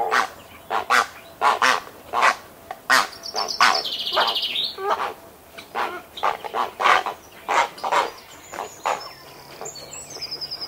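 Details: Well-grown grey heron chicks in the nest with adults give harsh, clattering feeding calls in quick uneven bursts, recorded close up, with a wren's high thin trilling notes in the background.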